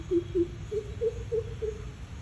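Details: A greater coucal calls from its throat, giving six deep, hollow hoots about three per second, stepping slightly higher after the first two, over a low background rumble.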